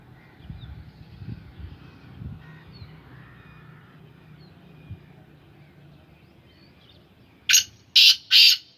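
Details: A kept black francolin of the Sindhi Gangas line calls in three loud, harsh, grating bursts near the end, after a long stretch of quiet low rumbling background.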